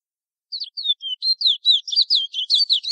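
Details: Chestnut-bellied seed finch of French Guiana delivering its "Ananas" local song style: high sweet whistled slurs starting after a short pause, then quickening into a rapid twittering string of rising and falling notes, no other sounds.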